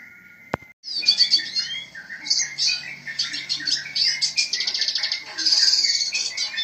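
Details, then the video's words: Red siskin bursting into rapid, high twittering song with buzzy trills and chattering runs after a sharp click at the start, over a faint low hum. "BURUNG RED SISKIN GACOR"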